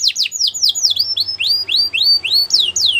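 Gloster canary singing a fast, bright run of high notes: first steeply falling sweeps, then a series of rising upslurred whistles, about three per second.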